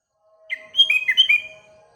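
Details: A sooty-headed bulbul sings in the morning amid other birds, giving one lively phrase of rapid, bubbly whistled notes that rise and dip, above a thin constant hum.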